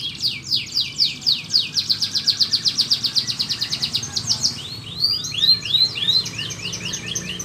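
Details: Lively canary song meant to stimulate silent or lazy canaries and to train young ones two to four months old; a long fast series of rhythmic chips, then looping rising whistles, over faint background hiss.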